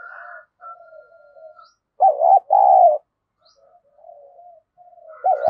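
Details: Captive decoy spotted dove cooing to provoke rivals: one strong two-part coo, a short note then a drawn-out one, between soft low muttering, with another phrase starting at the end.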